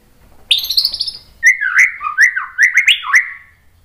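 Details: White-rumped shama song played to provoke a bird into answering: a rising buzzy opening, then a run of clear whistled notes sliding up and down, about six phrases in quick succession.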